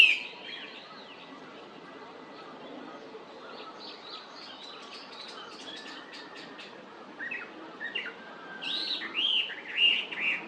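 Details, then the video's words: Chinese hwamei recorded close by on 19 May 2019 sings varied, high whistled phrases, soft at first, then louder, richer slurred notes near the end. "ガビチョウ(Garrulax canorus)の鳴き声"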